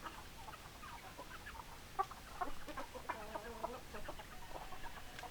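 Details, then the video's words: Hens clucking, several short low clucks scattered throughout, some in quick runs and a few louder notes, against a faint steady background hiss. "Chicken Sounds Noises Hens Clucking Roosters Crowing"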